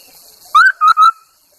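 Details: Chinese hwamei used as a lure bird gives a single loud phrase: one rising whistle followed by two clear level whistles, then silence.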